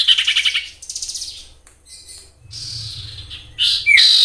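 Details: Wild common iora used as a lure to prompt other ioras to sing: rapid buzzy trills of pulsed notes, a quieter hiss with a low hum beneath, then sharp high whistled notes near the end.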